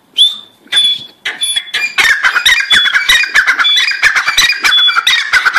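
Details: Grey francolin calling: a thin steady whistle opens, then from about two seconds a dense run of harsh, scratchy notes repeats quickly and unevenly, crowding together without pause.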